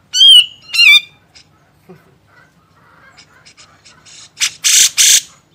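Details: Grey-cheeked bulbul, master recording for training songbirds: two loud whistled notes with sliding harmonics, soft scattered chips, then two harsh broad rasping bursts.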